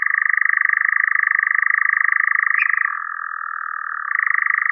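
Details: Continuous dry, rapid churring of a European nightjar. The reeling trill holds an even pitch, drops a little for about a second and then climbs back. There is one faint brief note partway through and no background noise.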